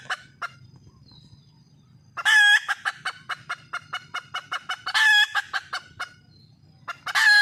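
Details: Red junglefowl hen in the wild calling to attract a mate. A few faint clucks lead into three long, loud nasal notes, each followed by a quick run of short staccato clucks.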